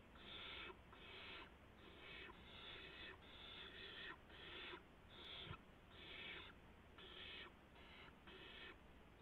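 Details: Nighttime barn owl scene, 3:10 AM on March 16, 2016: an adult brings a gopher and an owlet in the corner grabs it. Coarse hissing screeches repeat in about a dozen uneven bursts.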